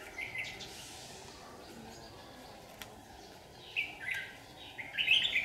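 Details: Red-whiskered bulbul lure bird in competitive song during trapping on a hot sunny day, 8 July 2019, Vietnam; brief warbled notes early, then louder chirpy phrases near the end over steady background hiss.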